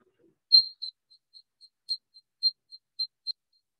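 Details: Desert Cisticola call, including a series of clicking notes that resemble wing clicks but are not: short, high, thin notes and clicks around a single pitch, about two or three a second, irregularly spaced.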